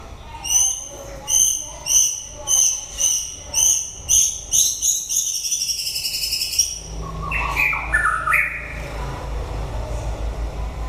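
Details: End-of-breeding-season White-rumped shama delivers a long series of rhythmic ringing notes that speed into a rapid trill, then shifts to lower, varied phrases.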